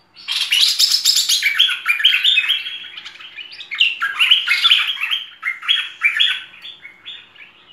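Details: Merbah lekir bulbul singing a full, varied training song: dense bright chattering and warbled phrases strung together almost without pause, rising and falling quickly, loudest in the opening seconds, no other sounds.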